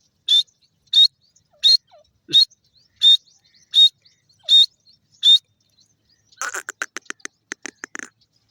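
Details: Grey francolin (dakhni teetar) during a fight: eight evenly spaced, sharp, high calls about every 0.7 seconds, followed by a fast rattling run of clicks.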